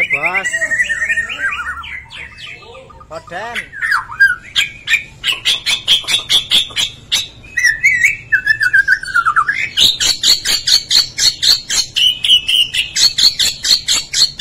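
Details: A Bornean white-rumped shama, 'gembung' type, singing vigorously with varied phrases: sliding whistles and slurred descending notes, then long runs of rapid, evenly repeated sharp notes with high whistled overtones, loud and clean throughout.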